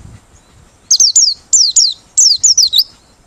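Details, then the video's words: A Merapi white-eye, used as a lure, sings rapid, high, thin whistled phrases, each sliding downward, in bursts of two to three notes repeated over about two seconds. "Pleci Merapi Ngalas Losssdol,cocok buat pikat~pancingan || Buka Paruh"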